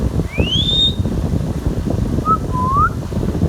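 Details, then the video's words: Pet Indian ringneck parrot whistles a clear upward-sweeping note, followed after a pause by a two-part whistle that dips and rises, over constant low background hum. "Ringneck Parrot Talking Natural Sounds"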